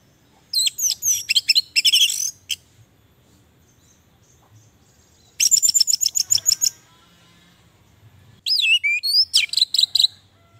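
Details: Orange-headed thrush sings three rich bursts, each a run of fast, varied whistles and sharp repeated notes, separated by quiet pauses; used as a calling, lure and training recording to stimulate quiet or sluggish thrushes.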